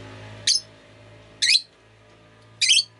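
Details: Pet rosy-faced lovebird on a rainy day gives three harsh, shrill chirps about a second apart over a low steady hum.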